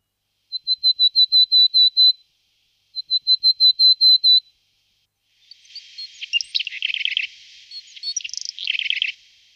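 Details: Willow tit of the nominate subspecies montanus: two runs of clear, evenly spaced high piping notes, about eight each, then a scratchy, buzzy burst of harsh chattering notes.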